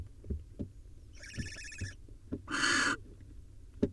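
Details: Wild barn owl at a nest box as the male delivers an awkward prey item, a nestling swallow, to its young: a short harsh hissing screech, then a louder broad rasping burst, over scattered soft knocks and scratches.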